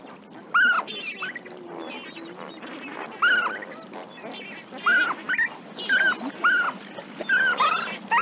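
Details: A group of adult and juvenile lesser flamingos at Walvis Bay, Namibia, in June, honk in high, nasal, goose-like bursts that bend up then down, roughly one a second, over a low murmuring chatter of other birds.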